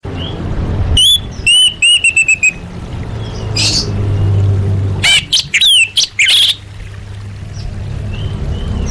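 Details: Orange-headed thrush song used as masteran tutoring material: bursts of clear, ringing notes with repeated stacked whistles, then a second group of sharp rising and falling whistles, over a steady low hum.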